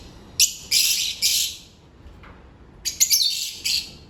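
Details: Loud, buzzy high chirps from African lovebirds during their daily routine, grouped in quick clusters of two or three separated by a short pause.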